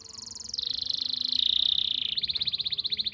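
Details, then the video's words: Canary tutor song from Pati, Central Java, meant to coax canaries that stopped singing: rapid high trill steps down in pitch into a smooth sustained roll, then switches to a fast pulsed rattle. "masteran untuk memancing burung kenari yang macet bunyi"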